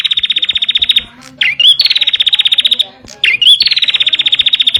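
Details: A bar-winged prinia sings for use in training caged birds: a fast rattling trill, then two more phrases each starting with a quick upward whistle and running into a long, steady buzzy series of notes.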